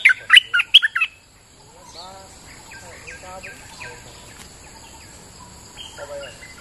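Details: Bulbul singing in rainy weather, recorded as a lively lure song: a burst of loud, sharp chirped notes in the first second, then quieter scattered chirps and short trilled phrases fading in and out over a soft background.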